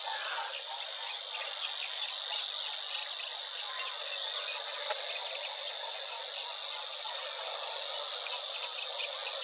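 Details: Male-style reeling song of a Savi's Warbler in Dutch marshland by the Weerribben, Wetering West, Overijssel, 6–7 May 2022: steady, unbroken, cricket-like buzzing trill, high-pitched and sustained, with scattered chirps from other birds in the reeds.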